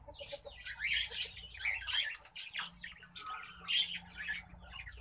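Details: An orange-breasted zebra finch sings a quick jumble of buzzy, nasal notes and high chirps.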